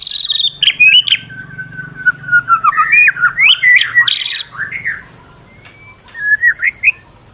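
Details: Stressed white-rumped shama used as a lure to get another bird singing: a long descending whistle, then varied warbled and slurred notes, a harsh burst, and a few rising whistles after a pause, with a faint low hum.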